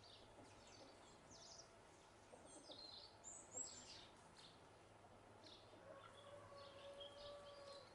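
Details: Group of house sparrows eating seeds from the ground on Ibiza, 2020: faint, sparse high chirps clustered mid-clip over a low outdoor hum, with a thin sustained tone toward the end.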